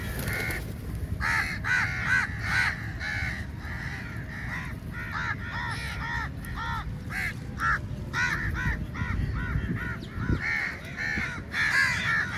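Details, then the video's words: Large flock of crows calling while crowding onto food at feeding time; overlapping harsh, nasal caws from many birds run almost continuously over a low rumbling background. "Crow Sounds Very Loudly"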